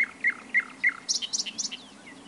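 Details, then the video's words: Four loud, evenly spaced downward-slurred notes from a nightingale, then a quick jumble of higher chirps fading into a faint whistle. "It turned out to be a nightingale | Real sound for more than ten minutes is so intoxicating"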